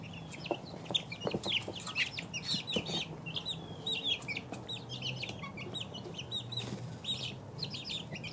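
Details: Many two-week-old chicks cheeping together, shrill clipped peeps in rapid irregular volleys, with occasional taps and scratching sounds and a soft low drone.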